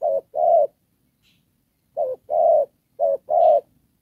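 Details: Spotted dove kept as a trapping decoy, cooing in đồng pha style: one short-long coo pair, a pause over a second, then two more pairs in quick succession.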